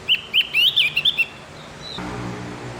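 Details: Song of the Javan grey-throated white-eye, used in the morning as a training recording for captive birds: a rapid run of about seven bright whistled notes, some rising and some falling, then a fading, quiet hiss.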